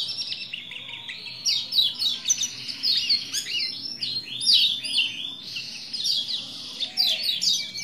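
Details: A Lombok white-eye pours out a long, busy, high-pitched warble of chattering trills and quick slurred notes, meant to goad a male into singing, with a faint low hum behind.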